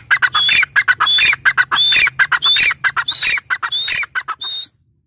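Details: Grey francolin, female, locally teetar, delivering a continuous stream of harsh, squawking notes with whistled overtones, grouped in quick clusters, ending abruptly after about four and a half seconds.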